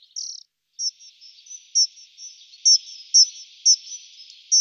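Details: Dunnock, from a set of calls, alarm calls and male song, gives thin high notes repeated about twice a second over a steady, high insect-like hum.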